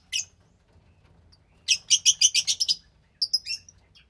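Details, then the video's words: Captive Fischer's lovebird chick about 15 days old, from a lutino and pastel blue pair: one short high chirp, then a burst of about eight rapid harsh notes, followed by a brief series of thinner chirps. "Lovebird Chick From Lutino & Pastel Blue Fischer"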